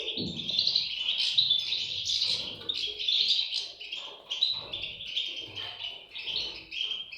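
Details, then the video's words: European goldfinch chicks giving a dense, continuous chorus of high, thin chirps and twitters that swell and fade in waves over about seven seconds, with faint low rustling beneath. "صوت فراخ طائر الحسون"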